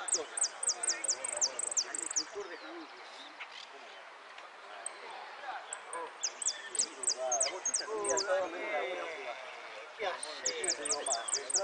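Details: Contest goldfinch in the 'repique' style at Lanús delivers fast series of high descending notes in three bursts, separated by lulls filled with people talking and crowd noise.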